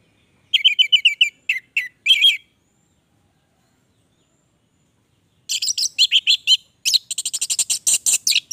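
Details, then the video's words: Orange-headed thrush (anis merah) in gacor song. A fast string of repeated warbled notes gives way to nearly three seconds of silence, then a dense, high, rattling chatter of rapid notes. Clean recording. "Anis merah gacor durasi panjang"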